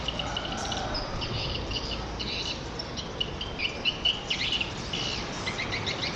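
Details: Edible-nest swiftlets associated with swiftlet farming give high, thin chirps and short buzzy twitters, several birds calling at once, with a few sharper clicks toward the end over constant low hiss.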